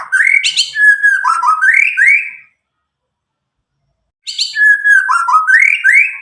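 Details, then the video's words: Medan white-rumped shama, roughly nine months old, recently lost juvenile speckling, untutored, delivering a rich varied phrase of whistles and trills, a pause of nearly two seconds, then a similar phrase again; used to prompt young birds to sing. "murai batu Medan gacor walau lepas trotol cocok untuk pancingan murai batu macet"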